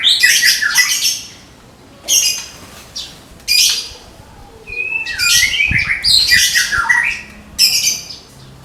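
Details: Caged white-rumped shama of the Medan type, said to be ready for the contest pole, giving its 'tembakan' rapid-fire song style: loud, harsh, buzzy bursts of quick high notes about a second long, separated by short pauses, with a few clear descending whistles mid-sequence.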